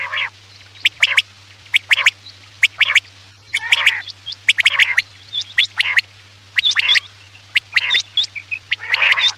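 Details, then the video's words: Night-time quail calls used to lure birds for hunting: clicky, sharp notes in groups of two or three repeated about once a second, with occasional harsh grating bursts, steady low hum behind. "Batair ki awaz raat k liye|batair ki awaz shikar k liye"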